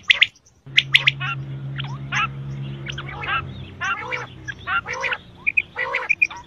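Quail give harsh, raspy squawks and chattering bursts, with a few short, clear whistled notes near the end, over a steady low mechanical hum.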